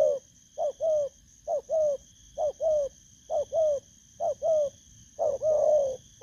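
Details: Spotted dove, a freshly caught wild bird, repeats paired coos about once a second, a quick rising note then a falling mellow one, ending in a longer rolled coo; steady electronic whine in the background.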